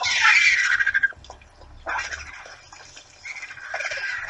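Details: Hundreds of vultures and other raptors feeding together at Torre de Tamúrcia in the morning: a loud grating squawk opens, followed by quieter rasping bursts and renewed harsh calls near the end.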